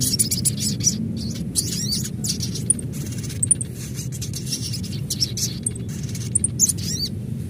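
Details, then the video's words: Olive-backed sunbird, locally sogon, adult call used to lure other birds: rapid high thin metallic chirps and twittering phrases repeated through the clip over a steady low rumbling background. "Panggilan SOGON Dewasa Asli"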